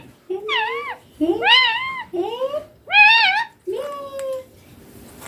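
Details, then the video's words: Pet green ringneck parakeet talking indoors: five clear, harmonic-rich voice-like syllables with wavering, rising and falling pitch, separated by short pauses, in a quiet room. "My ringneck green parrot taking"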